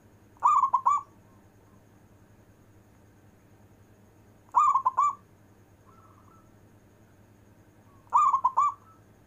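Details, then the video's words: Local zebra dove cooing in the long-breath manggung style, meant to rouse lazy zebra doves: three short phrases of three to four rolling coo notes, repeated about every four seconds above a steady low hum. "Perkutut lokal istimewa manggung nafas panjang"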